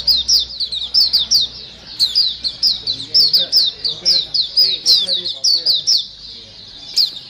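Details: Lure recording of a busy white-eye flock, many birds calling at once: dense streams of sharp, high, down-slurred chirps repeated several times per second, with faint softer twittering lower down.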